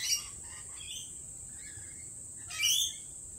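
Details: A lorikeet at a lorikeet cafe lets out a brief harsh squawk, then after a quiet pause a louder raspy screech, with soft chatter between and a steady high tone throughout.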